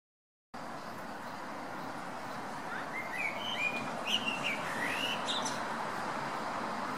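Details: Blackbird singing on December 17, a varied song that never repeats itself: clear whistled phrases and warbles, rising and falling, arriving after about three seconds over steady background noise.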